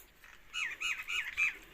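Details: An Indian ringneck parakeet, a pet talking to its owner, gives four quick harsh, slurred squawking syllables, each bending up and down in pitch, in a quiet room.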